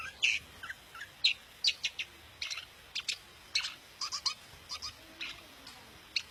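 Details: Daput long-tailed shrike song meant to make rival shrikes sing eagerly: a long run of short, scratchy, high chips and rasping notes, irregularly spaced, some rising slurs, continuing steadily throughout.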